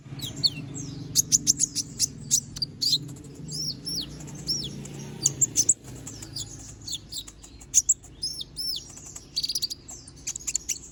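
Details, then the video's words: Little spiderhunter singing actively with sharp, piercing phrases, used as a master training recording: rapid bursts of very high, clipped chirps and short arching whistles tumbling in quick clusters, over a steady low hum. "Kolibri Ninja || Masteran Suara Burung Konin Gacor Bongkar Isian Suara Tajam"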